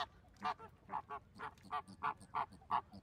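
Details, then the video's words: Flamingo calling: a run of nasal, goose-like honks repeated roughly three times a second, each short and harmonically rich, with a quieter overlapping honk between louder ones. "Flamingo Sounds | What does a flamingo sound like"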